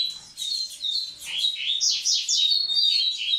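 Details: Double-collared seedeater (Sporophila caerulescens), song: courtship, singing to stimulate females for breeding.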